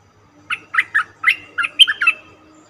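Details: Cream-vented bulbul lure call used for bird trapping: a quick run of about eight bright, chirping notes, each dropping in pitch, delivered in roughly two seconds over a faint low hum.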